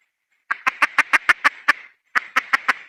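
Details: Female red junglefowl hen calling: rapid series of short, sharp clucks, about six per second, then a brief pause and a second burst of four clucks. Quiet background.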